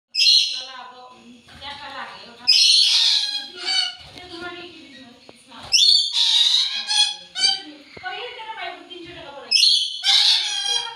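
Yellow-bibbed lory giving harsh, high screeches in bursts every few seconds, mixed with softer chattering and mumbled, speech-like notes.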